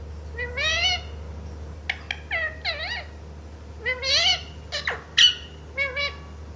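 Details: Young pet green parrot from India imitating human speech, calling "mummy" and "papa"; wavering, nasal, word-like syllables in quick groups, bending up and down in pitch, with scattered clicks and a constant low background hum.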